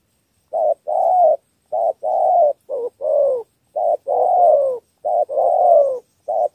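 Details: Spotted dove giving a three-note thổ coo, used to lure wild field doves: low hoarse coos come in paired bursts, a short note then a longer, slightly falling one, repeated about every second with brief pauses.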